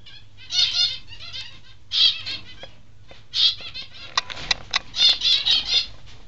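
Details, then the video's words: Peaceful doves in an aviary flapping about, giving repeated bursts of soft, rustling wingbeats at irregular intervals, with a few sharp clicks and a low background hum. "The ones you can constantly hear flapping about are the (not so) Peaceful Doves"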